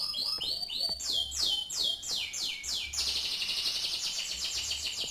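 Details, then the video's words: Canary whose singing resembles the celebrated champion bird TC1. A series of clear, high, downward-sweeping whistled notes comes about three per second, then runs into a fast, shimmering high trill. "kenari mirip sang legenda tc1"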